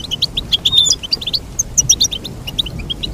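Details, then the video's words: Quick, lively goldfinch twitter, a dense run of tinkling high notes with a few thin whistled slurs, steady throughout and nearly without pause. "Teach your goldfinch to sing beautiful motivational songs"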